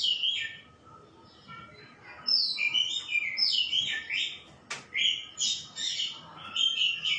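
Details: Song of a white-rumped shama, a series of loud, fluting, varied whistled phrases separated by brief gaps, with a sharp click partway through and quick bubbly notes toward the end.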